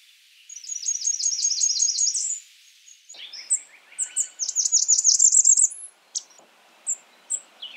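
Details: Blackburnian warbler singing two high, thin phrases: first a steady series of quick notes, then a lower buzzy lead-in followed by a louder rapid run of sharp notes, with scattered high chips afterward.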